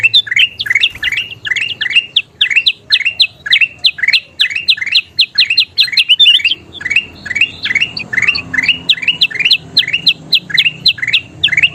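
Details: Kutilang emas (golden bulbul) in sustained 'gacor' song for training birds to sing: a long, dense run of rising whistled phrases repeated about three times a second, almost without pause.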